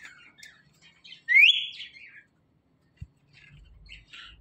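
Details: Pet parrot at play with its best friend gives soft scattered chirps, then one loud upward-sweeping whistle trailing into buzzy chatter, with a single knock afterward.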